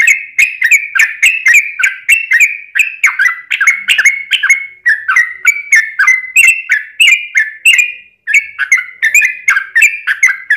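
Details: Yellow-vented bulbul singing a long, energetic 'ropel' song for luring other bulbuls into song: an unbroken stream of quick liquid, slurred chirps that wobble up and down steadily for over ten seconds.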